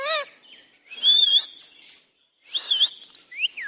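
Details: Indian ringneck parakeet, described as angry, gives a brief quavering syllable, then loud, buzzy high whistled phrases with a wavering top, and ends with two short falling whistles.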